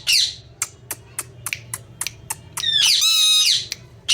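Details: Indian ringneck parrot calling indoors with a series of short sharp clicks and squawks, then a loud harsh drawn-out screech with layered tones before another squawk.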